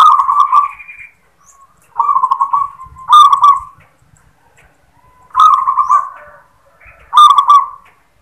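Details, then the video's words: Local zebra dove singing its sought-after "klar ketek kuk" song, opening with a "klar" note: rapid, bubbling cooing trills around the same pitch, delivered in five separate bursts, each under a second, with short silent gaps between. "Suara " KLAR KETEK KUK" Perkutut Lokal | Perkutut Manggung | Suara Perkutut Lokal"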